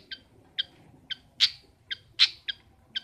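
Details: Long-tailed shrike, called pentet or cendet, kept as a household bird: short harsh notes spaced irregularly, a few louder and broader rasps among them.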